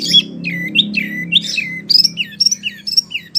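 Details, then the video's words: Training song from a Wambi for oriental magpie-robins and others: slurred, swooping whistles falling in pitch, then a quicker series of high clipped notes dropping at each end, with a soft low hum behind. "SUARA BURUNG WAMBI PILIHAN SANGAT BAGUS BUAT MASTERAN BURUNG KACER,DAN LAINYA"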